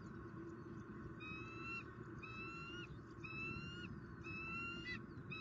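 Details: Bald eagles at a Southwest Florida nest, 2019, during a fish dinner on the day the season's first egg was laid. Four shrill piping whistles repeat roughly once a second against a steady low rumble.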